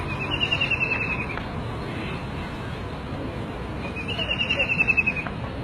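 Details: Cekakak Belukar, the White-throated kingfisher (Halcyon smyrnensis), utters two loud whinnying trills, each a rapid series of sharp notes lasting about a second, separated by a pause of roughly two and a half seconds, with steady background rumble.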